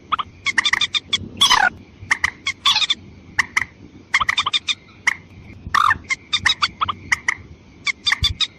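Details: Lure call of white-breasted waterhen aimed at females and males, with loud grating croaks delivered in quick clusters, a few longer hoarse squawks among them, and a thin constant tone running beneath.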